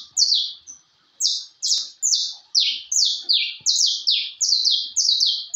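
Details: Posture-type canary singing steadily: a rapid run of high, buzzy, downward-sliding notes repeated about twice per second, after a brief pause near the start, with faint clicks in the background.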